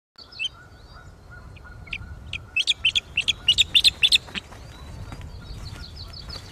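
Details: Osprey on a nest at Loch of the Lowes, Scotland, filmed by webcam, calling in alarm at an intruder at the nest: a fast burst of about a dozen sharp, high chirps that builds then fades, over a steady low hum.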